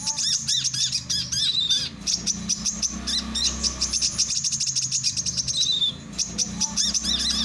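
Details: Song of a male brown-throated sunbird, used for training and luring birds. Fast, very high, ticking notes in long continuous runs, with occasional thin descending slurs and a steady low hum behind.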